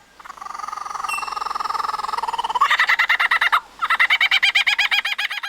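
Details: Male Superb lyrebird mimicking man-made sounds, such as a camera shutter, motor-drive flash, car alarm and chainsaws, to outsing rivals: a steady buzzy drone, then rapid rhythmic electronic-sounding pulses, about eight per second, broken by a brief pause.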